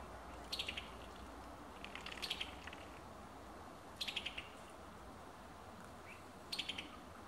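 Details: Summer tanager in Alabama giving short staccato bursts of about five sharp descending notes, each burst spaced roughly every two seconds, over a low steady background hum.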